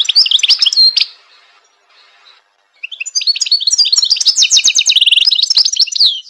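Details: Goldfinch gives a second of quick high chirps, then a pause of about two seconds with faint sound. Then comes a dense, fast warble of twittering notes and a steady buzzy trill.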